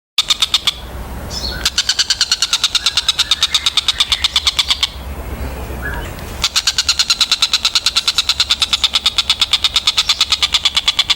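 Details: Kingfisher, known locally as tengkek buto, giving a long series of loud, sharp, high-pitched notes repeated about three times a second. The series breaks off briefly twice, then resumes steadily to the end.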